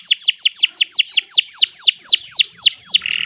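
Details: Canary in lively song, a master tutor for other birds: a loud, steady series of downward-curving whistled notes, roughly four per second, ending with a brief buzzy trill.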